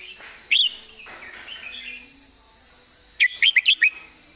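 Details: Red-whiskered bulbul giving its master-pattern song with distinct wording: a single loud whistle, then a quick string of five rising and falling whistled notes, over constant high-pitched background hiss.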